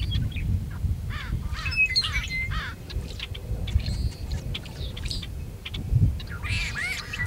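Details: Tricolored blackbird male near Kern National Wildlife Refuge, California, 26 February 2003, singing and calling. Repeated strained, twangy phrases come early, then a rasping burst at the close, amid sharp clicks and chips over a low background rumble.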